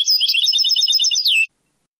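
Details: European goldfinch singing in the Moroccan Sebtaoui style, from an old cassette recording of the late 1990s to early 2000s: a rapid, dense twittering run of high chirps and trills that ends in a downslurred whistle, then silence.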